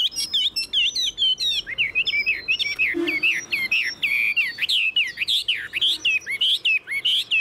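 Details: A nearly tame, wild-caught Chinese hwamei in its cage that performs wing and tail-fanning displays; a continuous stream of varied whistled notes, looping up and down, with rapid short phrases following one another without pause.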